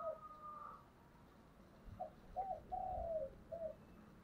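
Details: Spotted dove in the 'giọng thổ' voice style, cooing intensely: a drawn-out opening coo, a pause, then four low hollow notes, the third longest and falling, over faint background hiss.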